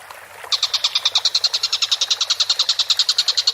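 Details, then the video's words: Collared kingfisher, as used for training songbirds, breaking into a loud, fast chatter of harsh kek notes after a half-second pause, then keeping the run going at an even rhythm to the end. "MASTERAN BURUNG TENGKEK BUTO GACOR"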